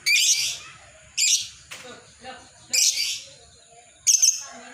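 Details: Lovebird ngekek chatter used for training and luring other lovebirds: four shrill, raspy screech bursts spaced roughly one to one and a half seconds apart, with a faint click between them.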